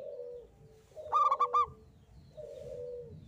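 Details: A zebra dove of local stock gives its lively 'engkel' song as a lure for other singers: a single rapid run of bright coos, with fainter, lower, sliding calls on either side.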